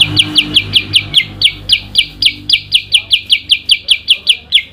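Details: Yellow-eyed babbler (kutilang sutra) in full song during an adu kicau contest against an Oriental magpie-robin (kacer): an unbroken, even series of shrill, sliding high notes, about four per second.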